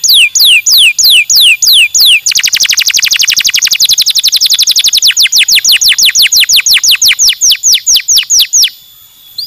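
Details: Bird song of loud, clean downward-sweeping whistled notes, first spaced about three per second, then speeding into a rapid even series of sweeping notes that slows again before stopping abruptly, very close and free of background sound.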